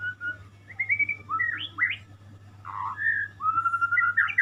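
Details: Murai (white-rumped shama) giving a varied song of long flat whistles, quick upward slurs and a short rough burst, spaced with brief pauses, low hum throughout.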